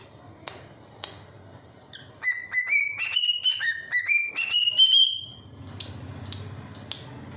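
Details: Whistling pet cockatiel delivers one tuneful phrase, dipping and then climbing in repeated stepwise rises to a high pure note. It is preceded by faint clicks and followed by low room rumble.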